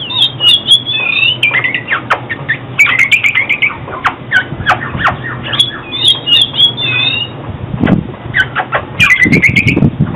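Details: Oriental magpie-robin singing, a recording meant for trapping and training birds to sing: long run of whistled and warbled notes with sharp upward sweeps, rougher harsh notes near the end, low steady hum behind.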